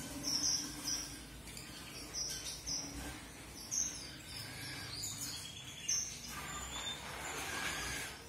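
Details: Strawberry finch, or red avadavat, with sparse, tiny, high tinkling notes spaced about a second apart against low hum and faint insect-like hiss.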